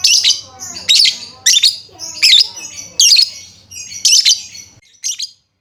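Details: Lovebirds heard in a lure recording for getting silent birds to sing: rapid run of harsh, piercing high chirps, about two per second, fading to a last short squeak.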